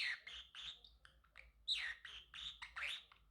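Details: Male Pacific parrotlet kept as a pet, singing and chirping: a lively run of sharp, high chirps and short warbled notes in irregular bursts, with brief gaps between phrases and no other sounds.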